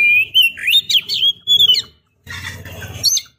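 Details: Female Oriental magpie-robin calling the male: loud sliding whistled phrase with warbled notes, over a low buzzing hum, then a noisier burst of harsh chatter.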